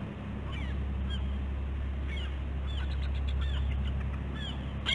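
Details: Bald eagles K-01 and K-91 at the West End nest, Catalina Island, California, morning of 15 August 2016: faint, rapid high descending piping notes, weak and close together, under a loud constant low hum.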